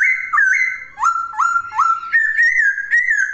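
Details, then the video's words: A poksay (laughingthrush) delivering a short burst of loud, clear whistles, with steady notes broken by repeated upward-flicking phrases. "Kicauan Poksay Gacor!"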